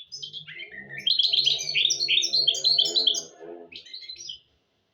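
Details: Goldfinch × canary hybrid, a mule bird, singing a varied warbling song of rapid twittering notes and buzzy trills, loudest in the middle, used to teach goldfinches and canaries to sing; faint low hum beneath.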